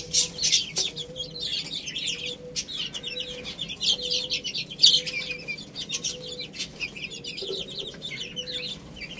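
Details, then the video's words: Small chicks eating rice keep up a running stream of thin, high chirps and soft pecking taps, over a faint hum that pulses about once a second. "Cute Little Chicks Eating Rice | Beautiful Chicks Chirping Sounds"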